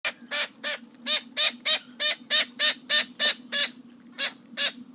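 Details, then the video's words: Parrot calling noisily: a rapid run of harsh, broadband squawks, about three per second, loud and fairly regular with brief pauses, over a steady low hum. "Noisy Parrot"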